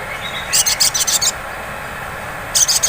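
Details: Sunbird 'ngleper' lure meant to trigger 'ngriwik' singing: a rapid burst of about six very high, thin twittering notes, then a pause and another quick cluster of high chirps, with constant background hiss.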